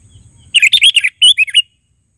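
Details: Sooty-headed bulbul in active, vigorous voice, uttering a quick burst of bubbly, liquid chirping notes in two short groups, over a faint low hum at the start.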